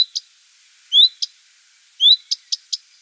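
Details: Common redstart giving its call: two upslurred whistles "fuid" around mid-pitch, each followed by short dry "teck" ticks, once single and once as three quick ticks, in an otherwise quiet background.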